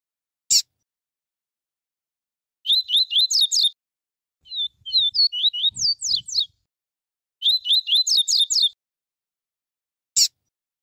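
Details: A double-collared seedeater sings a pure "tuí tuí" song type in a warm-up recording: three brisk bursts of high, sweet, rapidly repeated notes, each about a second long, with sharp clicks at the start and end.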